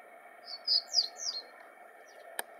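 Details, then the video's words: Reed bunting song at dawn, April 2020: four brief high notes, the later ones sliding downward and slightly buzzy, a faint extra note after, then a sharp click near the end against constant low hum. "Reed Bunting song"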